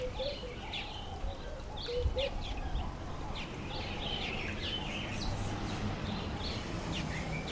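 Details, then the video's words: A female Mountain Chat (Mountain wheatear) gives scattered short, chirpy notes, some rising and some falling, at an uneven pace over a steady low rumble of wind or background noise. "Mountain Chat Female"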